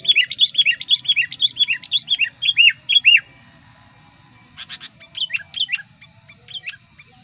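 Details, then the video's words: Sooty-headed bulbul lure song: a rapid run of repeated bright, down-slurred chirps for three seconds, a pause, a brief buzzy rattle, then a few more spaced chirps. "suara pikat burung kutilang gacor ampuh"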